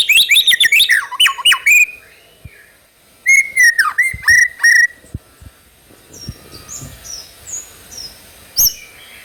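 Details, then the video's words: White-rumped shama lure song meant to make another bird sing: a loud jumbled burst of whistles and chips, a pause, then clear level whistles with downward swoops, fading into faint high notes. "PANCINGAN MURAI BATU TROTOL AGAR CEPAT BUNYI GACOR"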